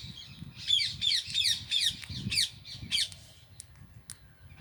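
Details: Rose-ringed parakeets, Indian green ringneck parrots in a parrot house, calling in a rapid run of shrill, rasping screeches, about three a second, fading out after three seconds, with low background rumble.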